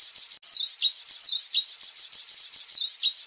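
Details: White-rumped shama singing a 'tembakan' (rapid-fire) style song, recorded as a master track for training cage birds. Fast runs of high, evenly repeated chipping notes alternate with lower downslurred whistled phrases, over a faint steady background hiss.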